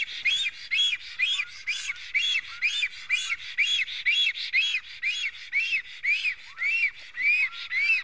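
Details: Estonian black stork nest with an unwanted visiting stork: a rapid, even series of arched whistled calls, about two per second, through the whole stretch, ending on slightly higher notes.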